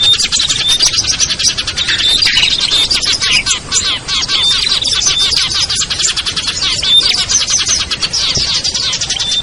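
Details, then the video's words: Small songbirds in a lure recording meant to bring hard-to-descend birds down, including ciblek, kutilang, trucuk, sogon and perenjak: a continuous wall of high, rapid twittering with scattered thin whistled notes throughout. "SUARA PIKAT BURUNG KECIL burcil AMPUH"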